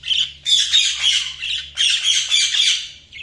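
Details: Budgies squawking and chirping almost without pause, a loud, scratchy, high-pitched chatter that swells and dips in two long bursts.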